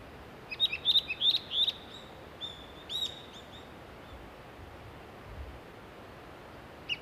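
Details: Nestling Japanese pygmy woodpeckers being fed in mid-May, Shimokitayama, Nara, Japan, parents bringing food every 15–30 minutes. Short bursts of thin, high twittering notes in quick clusters, then quieter scattered chirps and one sharp note at the end.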